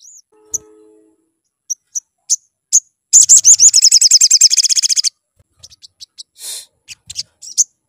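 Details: Sunbird song played as a lure to make birds sing: scattered high thin chirps, then a fast run of rapid repeated high notes for about two seconds, followed by more scattered sharp chips.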